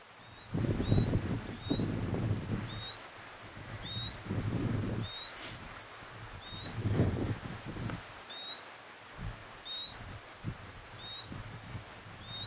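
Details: Scribble-tailed canastero (Asthenes maculicauda), call.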